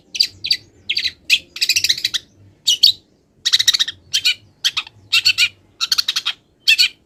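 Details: A moulting long-tailed shrike sings a song rich in wild bird imitations: rapid harsh chattering runs mixed with short, sharp high notes, closely spaced.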